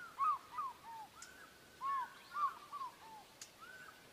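Osprey giving short, clear whistled notes that arch up and slur down, in two loose runs of three to four about half a second apart, over quiet background.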